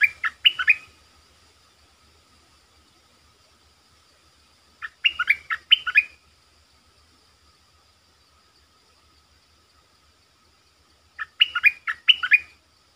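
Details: Streak-eared bulbul, a lure bird calling to wild birds, answered in 'sap dok' and 'rik' styles; three brief clusters of quick, bubbly notes spaced about five seconds apart, with quiet pauses between.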